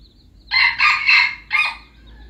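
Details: An F1 lure-bird red junglefowl from Aceh crows loudly: three rasping, closely joined syllables followed after a short pause by a fourth, against a faint continuous high-pitched whine.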